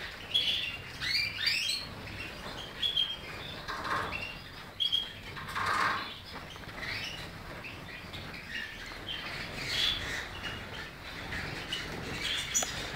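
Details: European goldfinch singing: bright twittering and chirped notes, some with short whistled tones, in scattered bursts, mixed with repeated soft fluttering and rustling noise throughout.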